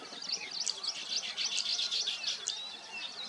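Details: A colony of nesting weaver birds fills the air with rapid, overlapping chirps and buzzy churrs, bright high notes popping out of the steady chatter.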